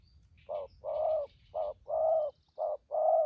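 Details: Wild-caught spotted dove decoy in thúc gù cooing: mellow mid-pitched coos in short-long pairs, three pairs spaced about a second apart, light chirping of other birds above.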